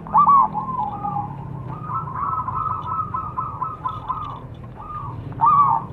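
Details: Zebra dove song used as a lure to get other birds singing: a soft, rolling, low-pitched cooing trill drawn out for several seconds, with louder bursts at start and end over a steady low hum.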